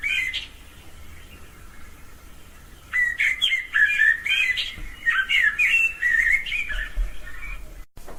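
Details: A Common Blackbird in a garden sings a run of rich, fluty warbled phrases, rising and falling in quick succession over about five seconds, with a faint note beforehand; described as the summer sound of the blackbird.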